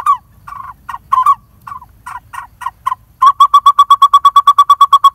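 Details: Lineated barbet family nesting in a hollow of a dead durian tree, parents bringing food to a chick; scattered throaty hoots, then a steady rapid train of clear hollow notes, about three per second.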